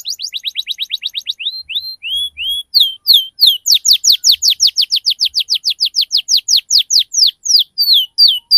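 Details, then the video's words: Canary lure sound aimed at young canaries, teaching ngriwik and cuit cuit sounds: quick ticking notes, a few slower rising whistles, then a long steady run of loud, sharply falling chirps. "SUARA PANCINGAN KENARI PAUD BELAJAR BUNYI NGRIWIK CUIT CUIT_SEKALI PUTAR DI JAMIN KENARI RESPON"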